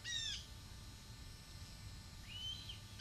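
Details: Young male red-tailed hawk near its nest screams at its mother as she flies past below, asking for food, recorded 7.2.23. A single harsh, descending, harmonic scream opens the clip, followed later by a fainter, thinner rising-falling call.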